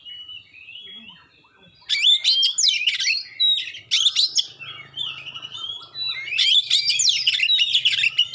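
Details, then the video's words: Sharp, clear song of a magpie-robin intended to provoke rival birds: a soft whistle, then loud bursts of rapid chattering and slurred whistles in several phrases, with a low hum beneath. "suara tembakan tajam juga suara jernih bikin kacer lain langsung respon ngobra"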